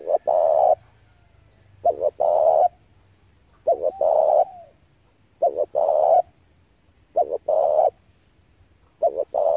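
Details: Spotted dove calling as a decoy to draw wild doves for trapping: seven rapid phrases, each two short coos and a longer rolling coo, repeated roughly every one and a half seconds over a faint low hum.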